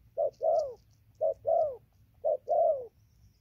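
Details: Wild-caught spotted dove cooing nonstop as it moves from tree to ground, recorded 15 November 2020: low, hollow coos in pairs, a short note followed by a longer drawn-out falling note, each pair about once a second, three pairs, faint low hum behind.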